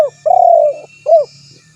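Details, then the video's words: Recorded to lure other doves, a spotted dove calling its rival gives a long, slightly trembling low coo followed by a short arched coo, with a faint low hum underneath. "Suara Burung Tekukur Memanggil Lawan"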